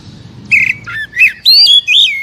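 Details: Oriental magpie-robin (kacer) singing for captive-bird stimulation: a short buzzy note followed by loud, rich whistled phrases with wavering slurs, plus a faint lower rising whistle.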